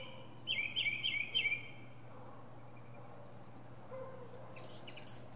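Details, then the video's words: Northern mockingbird singing from a pine treetop, showing its varied repertoire: a burst of quick repeated warbled notes, a pause, then a short high rattling phrase near the end, over a faint constant low hum. "Northern Mockingbird goes thru his greatest hits!"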